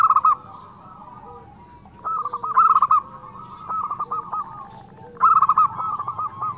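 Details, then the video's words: Local zebra dove in full, frequent song with a clear 'crystal' voice, used as a lure for trapping doves. Three bubbly, rolling cooing phrases, each opening loud then trailing into softer purring notes, roughly every two and a half seconds. Faint lower notes sit underneath. "perkutut lokal gacor suara kristal UNTUK PIKAT sangat ampuh"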